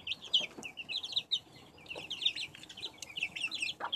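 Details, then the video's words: A hen's brood of backyard chicks, recorded in 2015, keeps up steady shrill peeping. Quick, high, slightly falling notes come from several birds at once, several each second, over faint background rustle. "Poj Qaib Chicks"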